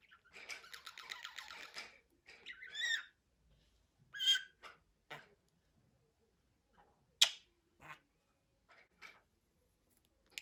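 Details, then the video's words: Budgerigar warbling in a dense buzzy burst for about two seconds, then scattered sharp chirps and clicks spaced by quiet gaps. "MUHABBET KUŞU | DİNLET KONUŞSUN"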